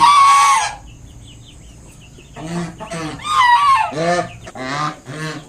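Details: One long harsh honk, a quiet pause, then a string of shorter nasal honks from a kept mother swan defending her five new cygnets against an approaching person.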